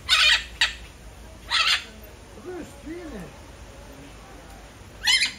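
Red-fronted macaw giving harsh, raspy screeches in short bursts, three close together then another after a pause, with faint low warbling tones between.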